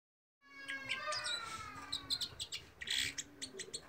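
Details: Red crossbill, a small finch of conifer forests such as pine, cypress, fir and cedar, singing: clear whistled notes slurring downward, then a quick series of high chirps and twitters.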